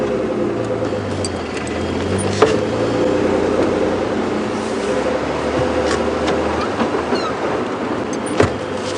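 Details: Outdoor game drive with a vehicle engine droning steadily throughout and two sharp clicks, and no animal calls.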